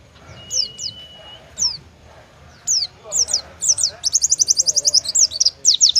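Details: Oriental white-eye building into its judge-favoured 'tembakan' song: spaced single high chirps and a thin steady whistle, then accelerating into a rapid, pulsing trill of sharp high notes.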